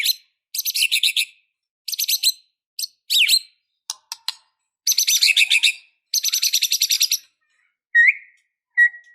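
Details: White-rumped shama singing a full, varied song in a fighting, emotional mood: rapid high rattling and chattering phrases, a downward slurred whistle, sharp clicks, and two lower clear whistled notes near the end.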